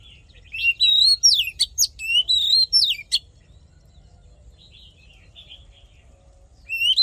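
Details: Oriental magpie-robin singing a fighting song for voice training and exciting male birds: a rich run of quick, piercing, slurred whistles for about three seconds, then soft scattered notes and a final sharp phrase over low background hum.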